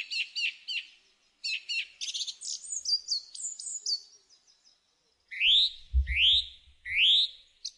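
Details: Song thrush song of rapid, scratchy chattering phrases, then a loud rising whistle repeated three times at an even pace, with a low thudding noise below the last notes.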